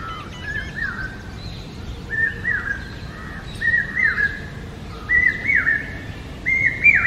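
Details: Common hawk-cuckoo, known as papiha or brain fever bird, giving a repeated series of shrill three-part whistled phrases that climb steadily higher in pitch with each repetition, about one phrase per second, with faint background birdsong.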